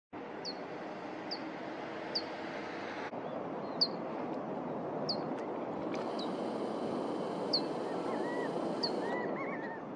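Abert's Towhee giving sharp, high single 'peek' notes about once a second, over a steady rushing background with faint lower chirps near the end.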